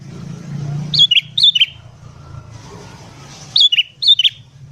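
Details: ['Sooty-headed bulbul singing in the morning, used as a lure for wild birds: two pairs of short, bright whistled phrases, each note dropping in pitch, over a low hum.']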